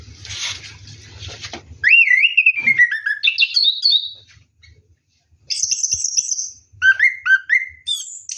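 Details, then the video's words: Orange-headed thrush singing in rolling ngeroll style while bathing at night; a low rumbling noise opens, then loud whistled phrases sweep up and down, a pause, and a burst of high sharp notes followed by falling whistles. "KICAU ANIS KEMBANG NGEROLL MANDI MALAM"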